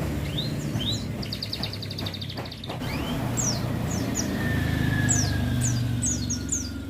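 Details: Oriental white-eye kept beside a roadside so that it sings more readily, giving thin, high, downslurred chirps scattered through the clip over a steady rumble of passing traffic.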